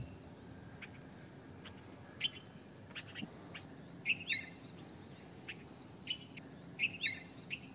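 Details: Red-vented bulbul giving short chirpy phrases of sharp rising and falling notes, two clear bursts about three seconds apart, with scattered faint chirps from other birds and steady low background noise.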